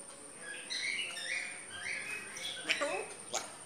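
A grey parrot chatters in high, speech-like phrases, then gives a sharp click and quick rising whistles near the end.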